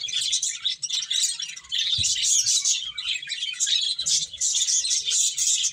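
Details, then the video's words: Finches chirping while feeding, a dense, shimmering run of high tweets in repeated surges, with a faint knock around the middle. "Cute Finches Chirping Sounds | Beautiful Birds Eating"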